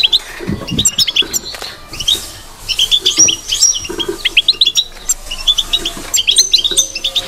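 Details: Batbata twittering from a European goldfinch, bright clipped chirps and short trills tumbling in bursts, some sliding notes, over faint low thumps.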